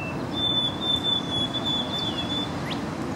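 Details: A male White-throated Sparrow (white-striped morph) singing at Paletta Park, Burlington, Ontario, Canada: a clear, pure whistled note held at one high pitch about two seconds, dipping slightly at the end, over a steady low rumble.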